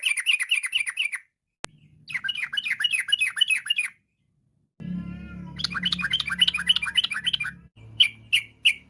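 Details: Varied sooty-headed bulbul song, 'trucuk ropel', used to draw other bulbuls to sing: fast repeated chirp phrases broken by short gaps, a later burst over low humming, then a few separate chirps.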